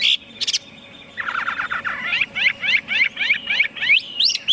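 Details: Chinese hwamei singing: a short high note and a brief buzzy burst, then a run of fast downslurred whistles, then bright rising whistled notes repeated about three times a second, over a faint steady low hum.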